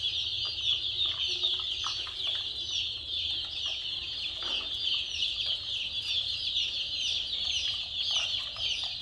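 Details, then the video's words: Crowd of chicks giving rapid high peeps without pause, a steady shrill chorus of overlapping chirps above a low droning hum. "Murgi Chicks Chirping Sounds"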